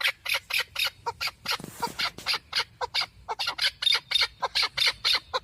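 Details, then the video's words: A male partridge, recorded for hunting, gives a fast run of sharp, high, scratchy clucks, about four a second, with a brief rustle partway through. "Овози кабки шикори Keklik avi Partridge صوت ذكر الحجل للصيد اواز کبک"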